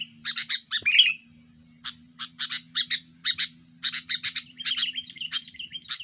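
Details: Sooty-headed bulbul giving a rowdy song to press rivals, used as a lure: an opening slurred flourish, then spaced chattering notes building into quick runs, low steady hum behind.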